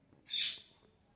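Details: Parrot recorded while playing on August 26, 2023: a single short, harsh, high screech over quiet background.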